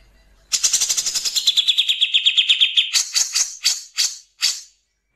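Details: Grey-cheeked bulbul in a harsh 'nembak kasar' song with pauses, used as a tutor recording for captive songbirds: a dense, scratchy chatter of rapid pulses, about five per second for two seconds, then a few separate rasping bursts before silence.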